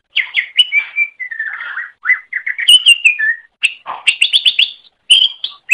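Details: Master song of a greater green leafbird for training other birds: varied whistles, slurred descending notes and quick trills flowing nearly continuously, with a few sharp high chips.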